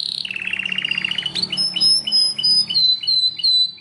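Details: Singing Belgian canary opening with a rapid rattling trill, followed by spaced upward-sweeping chirps and thin high whistled notes, over a faint low hum.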